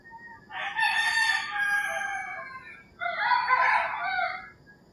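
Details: Two roosters crowing one after another at early morning in rural Philippines: a long, harsh, falling crow followed by a second, rougher crow, with birds singing faintly behind.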